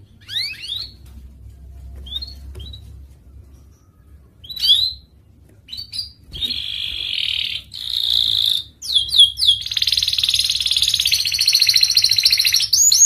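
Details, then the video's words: Panda canary singing in bursts: scattered short high downsweeps and chirps separated by gaps, then buzzy held notes and a dense, sustained high trill that carries to the end. "Kenari panda gacor"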